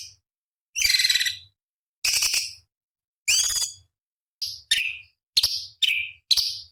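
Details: Cucak cungkok bulbul master song for training competition birds, with sharp 'tembakan' phrases: loud buzzy chirps about a second apart, then quicker whistled down-slurred notes; a faint low hum runs underneath.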